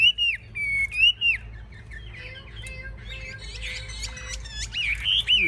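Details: Chinese hwamei, a hard-fighting caged bird, posturing with raised wings and fanned tail; two loud arched whistles, a quieter spell of scratchy chatter and a faint low whistle, then bright whistles return.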